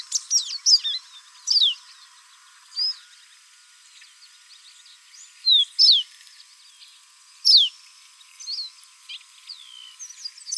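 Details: Brazilian pearly-bellied seedeater, Sporophila pileata. Short, sharp, high whistled notes, mostly quick downward slurs, come singly or in pairs with pauses of one to two seconds between them. A faint steady hiss sits underneath.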